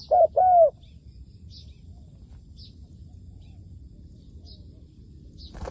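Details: Spotted dove kept as a ground decoy for trapping wild doves, giving two loud, mellow cooing notes in quick succession, each slightly arched in pitch. Near-silence follows, broken only by faint, high, scattered chips and low rural background noise.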